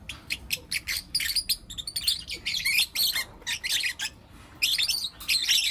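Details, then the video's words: In the morning, four lutino lovebird youngsters chirp in a fast patter of clipped, scratchy high notes, some short ticks and longer rasping bursts, with small pauses between. "Lutino LoveBird Chirping Sounds"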